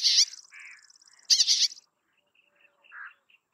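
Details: Bay-backed shrike: loud rasping notes with a thin high trill running alongside, a soft warble, then faint scattered quiet notes.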